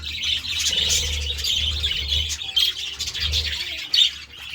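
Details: Several budgies feeding on vegetables, chattering in fast high warbles and sharp chirps, with a few louder squeaks and a low hum beneath.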